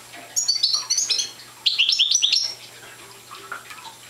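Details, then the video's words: A young goldfinch of the parva subspecies, not yet in full song, gives two short bursts of high clear twittering and jingling notes, then only faint scattered notes, over a quiet steady low hum. "Young Parva Goldfinch singing"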